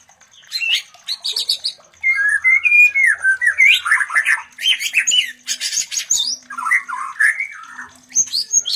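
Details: A white-rumped shama's mating sounds, intended to stimulate other shamas to breed: almost continuous varied song of high chirps, slurred whistles, rapid trills and harsh chattering phrases.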